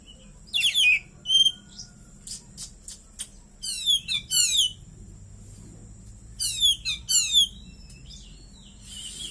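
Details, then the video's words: Caged White-rumped shama (kacer) with cililin-style fill, giving scattered short phrases of steeply descending buzzy notes in pairs, separated by quieter pauses and soft clicks. "KACER GACOR,ISIAN CILILIN"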